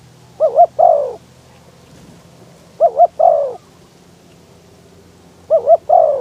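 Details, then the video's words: Decoy spotted dove calling from an open-topped trap cage in strong wind to draw in wild doves; three well-spaced phrases, each a double coo and a longer sliding croo, with quiet pauses between. "ต่อนกเขาใหญ่ ต่อเพนียด เปิดประทุน เจอลมแรง ยังพอได้ลุ้น"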